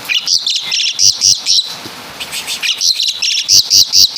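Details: Asian pied starling of Java in mimicry song, groups of high, sharp chirps, a short quiet gap, then evenly spaced loud high notes.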